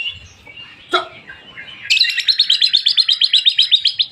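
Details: White-rumped shama song used as a lure to set other birds singing: soft varied notes, then a loud fast series of bright repeated high notes about four per second.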